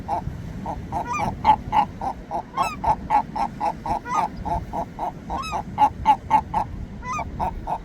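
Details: Several seagulls call in quick, regular, nasal yelps for about eight seconds, near four per second. Repeated rising, whining squeals from more birds overlap the series, against a constant low rumble.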